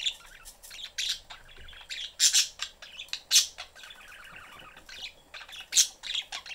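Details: Budgerigar family in a cage with the door open, young bird after attention: rapid chirps and piercing squawks repeating in quick clusters over continuous warbled chatter.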